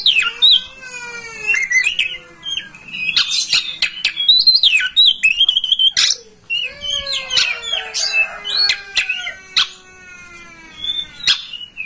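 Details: Kacer (oriental magpie-robin) master song to prompt tail-opening ngobra singing: long clear whistles and fast warbled phrases mixed with harsh buzzy notes, delivered in bursts with brief pauses.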